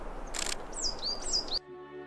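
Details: A tit, coal tit or the rarer willow tit, in snowy forest on Mont Ventoux in winter, with fieldfare and blackbird also about: a quick run of thin, very high, slurred call notes, about five in under a second, after a brief rustle; a low steady hum follows.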